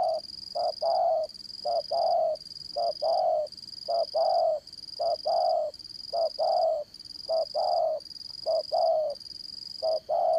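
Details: Strong-voiced spotted dove used to lure birds into traps, calling throughout in steady pairs, a brief coo followed by a longer one, about once per second, against continuous high insect hiss.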